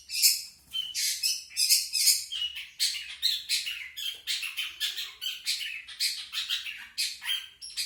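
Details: Long-tailed shrike singing natural, unmimicked song: a continuous stream of grating, squeaky chatter with rapid harsh notes and occasional thin whistles, with no pauses and a quiet room behind.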